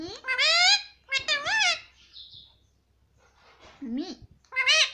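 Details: Talking Indian ringneck parrot calling "mummy" repeatedly indoors: quick wavering harmonic syllables in bursts, with a lower, softer voiced phrase in between and short pauses.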